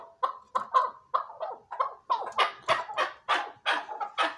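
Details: Chukar partridge calling with a rapid series of about fifteen harsh, clucking notes, roughly three per second, starting thinner and growing louder, fuller and more rasping toward the end; no other sounds stand out.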